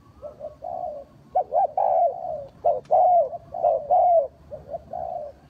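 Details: A spotted dove kept as a trapping lure gives rhythmic hooting coos: short doubled notes followed by longer drawn-out ones, roughly one per second. The recording is clear, with little background noise.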